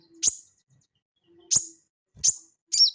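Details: Crested jay, ngeleper style, used to train cage birds: loud sharp high notes repeated every second or so, the last one a drawn, wavering whistle.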